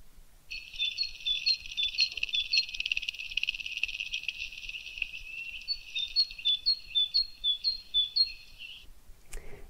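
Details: Male great tit giving its territorial 'teacher' call, a bright, high two-note phrase repeated quickly in a steady series, with a soft hiss behind and a brief knock at the end.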